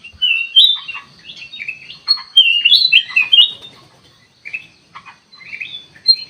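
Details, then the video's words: Sooty-headed bulbul song intended as a lure to provoke replies: energetic run of whistled, slurred and chirped notes, loudest in the first half, then sparser phrases toward the end. "burung kutilang emas buat pemikat langsung respon"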